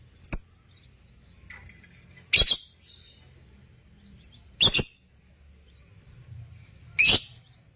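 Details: African lovebirds kept for breeding, chirping: short, sharp, high shrill notes given singly about every two to two and a half seconds, four in all, against a quiet room background.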